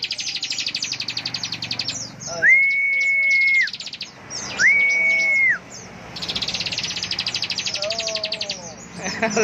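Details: Bar-winged prinia ngebren song: bursts of rapid, high, rattling trill notes alternating with two long, flat, clear whistles and some quieter lower wavering notes; faint voices nearby.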